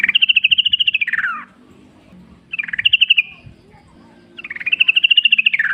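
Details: Yellow-vented bulbul singing wild in the forest, used as a lure to make other bulbuls sing and answer: three bubbly, rapidly pulsed phrases, each rising then arching and sliding down at the end, with pauses between.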